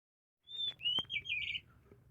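An Oriental magpie-robin gives a short burst of song: a clear high whistle, then rapid sweet chirping phrases over about a second, with a brief click.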